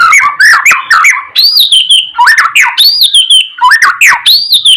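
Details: Varied whistled phrases of a white-rumped shama, played to tutor and excite other birds: looping rising-falling whistles with high sharp accents, repeated in bursts about every second and a half.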